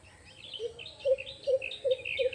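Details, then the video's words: An Asian koel in an uninhabited jungle with red flowers gives a series of short, low, hollow "kuhu" notes about every half second, over a busy chatter of higher-pitched birds. "এই শুনতে পাচ্ছেন আপনারা কুহুর ডাক"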